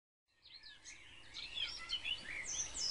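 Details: House sparrows active in a garden in spring fine weather, competing for the best nest boxes: a busy jumble of short chirps and twittering notes, several birds calling over each other, with faint low background rumble.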